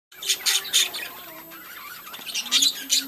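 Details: Budgerigars in a breeding colony, many birds chattering at once: dense scratchy warbles and squeaky bursts, with a few lower drawn-out whistled tones running beneath.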